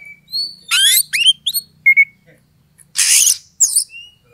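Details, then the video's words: Rival-provoking lure song of an Oriental magpie-robin: soft whistled notes, then a loud buzzy burst with rising slurs, a doubled clear whistle, and another harsh hissing rasp before falling whistles. "pancingan kacer EMOSI NAIK PELAN - PELAN"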